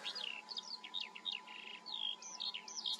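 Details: Skylark song recorded in the Eifel region of Germany, a rapid run of high whistled and slurred notes, sliding phrases and brief buzzy trills poured out without pause, a low constant hum beneath.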